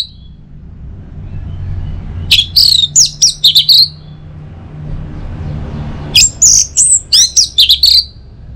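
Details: Orange-headed thrush song played in the morning to stimulate other birds to sing: two bursts of high, rapid whistled and slurred phrases separated by a quiet pause, over low background hum.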